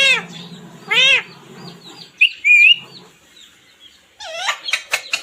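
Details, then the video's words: Chirping parrot with arched harmonic squawks, a clear high rising whistle, and a closing burst of rapid, sharp chirps and clicks. "Natural Parrot sound//Parrot chirping sound"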